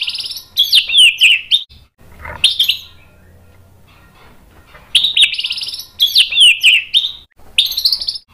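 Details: Agitated white-rumped shama singing to draw other males into song: loud, harsh, rapidly repeated phrases with downslurred whistles, separated by short quiet spells, the phrase pattern returning several times.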